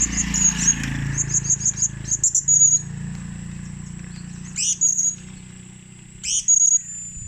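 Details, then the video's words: Blue-crowned hanging parrot used as a lure bird: a rapid run of very high, thin chirps, then a few isolated sharp arched notes over a steady high whine, with a low rumble beneath. "burung serindit gngster memikat"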